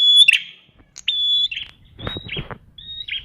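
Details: Prinia song played to provoke a ceplier bird into answering: a few high, clear whistled notes and sharp chirps, separated by short gaps, with a brief low rustle midway.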